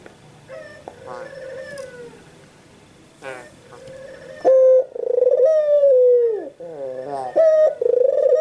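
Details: White Barbary dove cooing: faint, quieter harmonic calls at first, then loud, drawn-out nasal coos that hold level and then dip, with short breaks between phrases.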